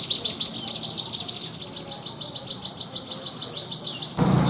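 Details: Branjangan, Horsfield's bush lark, in its rich 'isian' song: a thin buzzy high note, then a long even trill of rapid repeated chips, ending with a sudden burst of louder low-pitched noise.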